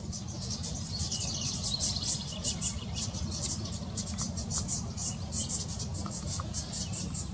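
A fledgling House Wren gives thin, high, buzzy begging notes in a steady run of quick pulses, over a constant low rumble of wind or traffic.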